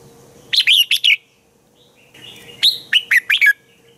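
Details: Red-whiskered bulbul singing in the morning for training other bulbuls: two quick phrases of clear, rising and falling whistled notes, four then five notes, separated by a short pause with a soft chirp.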